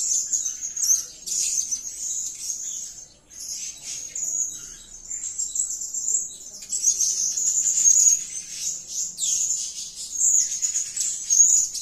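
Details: Serindit, the blue-crowned hanging parrot, calling keenly: long runs of high, shrill, buzzy twitter in loose bursts about every few seconds, each made of fast squeaky notes on a nearly level pitch.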